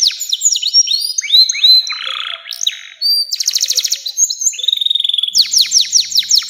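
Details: Long-running canary song used as a master recording for young canaries. Quick chirps and slurred whistles lead into a buzzy stretch, then a fast rolling trill, a clean whistle and a run of sharp descending notes.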